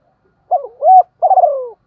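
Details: Decoy spotted dove of the 'giọng thổ' voice type, calling to draw in wild birds. A short fragment has a brief low coo, a smooth rising-falling hoot and a long burbling note that slides downward.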